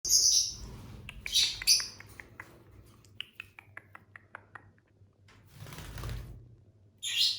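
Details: Pet lovebirds indoors, eating and chirping: shrill high chirps open and close the recording, with a run of short dry clicks and taps in between, like pecking or seed cracking, and low room hum throughout.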